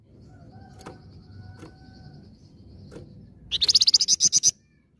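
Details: Red-fronted serin (flamboyan) lure song: after a few sharp clicks over quiet hiss, a brief high rattling trill of about ten rapid notes bursts out near the end, then silence.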